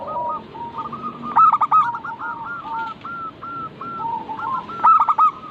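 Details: Song of local zebra doves, recorded to encourage caged birds to start singing: a long series of mellow, evenly spaced coos, with two louder harsh bursts breaking in and a continuous hum of other doves behind.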